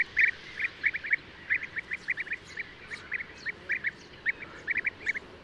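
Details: A European bee-eater chatters in brief rolling notes, often doubled or tripled, loudest at the opening and spaced irregularly over a quiet background.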